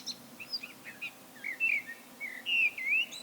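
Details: Blackbird singing alone, starting with short soft chuckling notes that build into loud, smooth, rising and falling whistled phrases, clear above a low hiss.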